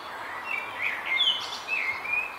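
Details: Eurasian nuthatch at its nest at Vrieselhof, Oelegem, on 2 May 2020: a string of thin, high whistled notes, some short and sliding, spread over two seconds against a soft steady outdoor hiss.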